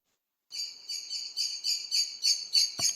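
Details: A common blackbird gives its flight call as it takes off, one thin, high, slightly buzzy syllable repeated about three times a second; a soft knock sounds near the end.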